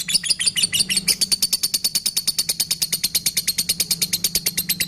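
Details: Kept lovebird giving its 'ngekekekeke' ngekek call, used to stimulate and train other birds, as a long, steady burst of high, scratchy notes repeated about three times a second, slightly faster toward the end.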